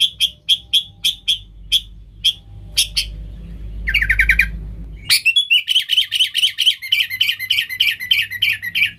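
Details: Sooty-headed bulbul, a 'gacor' singer used to lure wild bulbuls: spaced single clicking chirps, a low rumbling background and a short trill, then a long rapid chattering run of bright notes.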